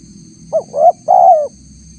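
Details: One cooing phrase from a spotted dove lure recording meant to attract wild spotted doves. A short soft note, a rising slurred coo, then a sustained gently falling coo, all mid-pitched and mellow, over a low steady background hum.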